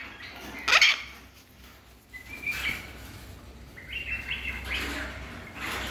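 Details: A cockatoo, either a silver-crested cockatoo or a baby galah, gives one short, harsh screech, then a string of softer, higher chirps and squeaks spread over the next few seconds.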